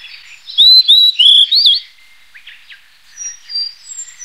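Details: A blue-and-white flycatcher gives a run of four bright, pure whistled notes, each sliding up and down, the last twisting sharply, then softer scratchy notes and faint high whistles.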